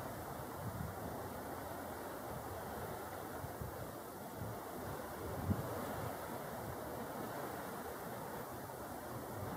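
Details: Steady wind and surf roar, with a dull rumble and no distinct calls.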